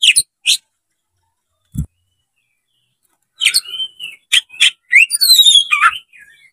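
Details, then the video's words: Oriental magpie-robin, a fighting-style bird spreading its tail and singing to provoke a rival. Two short high notes, a pause, then a burst of varied whistled and chattering phrases with sliding notes toward the end. "MENCARI LAWAN TARUNG KACER CEPAT GACOR DALAM HITUNGAN MENIT DIPANCING KACER BUKA EKOR INI"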